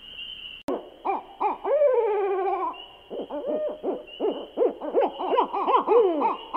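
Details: Owl calling at night: a fast series of short, arched hoots, mid-pitched and repeated rapidly in overlapping bursts, with a drawn-out wavering call near the start and steady hiss in the background.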